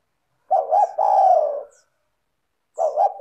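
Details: Spotted dove (tekukur), a clear, melodious singer played to prompt other doves: a pair of short hoots then a long descending coo, a pause, and the next phrase beginning.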